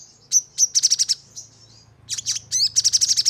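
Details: Crimson sunbird lure song aimed at making birds sing rapid bursts: quick clusters of sharp, very high notes at four or more per second, a short pause, then a harsher, rougher burst and more trilled chips.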